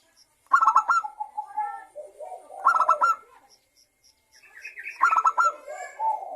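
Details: Zebra dove, local and Bangkok types, singing a lure song to start other doves: three strong stuttered bursts, each followed by a softer descending coo.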